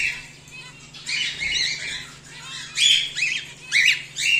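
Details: Home-bred whiteface emerald and exhibition grey male cockatiels call in rough, buzzy squawks, ending in several sharp bent notes, over a constant low hum.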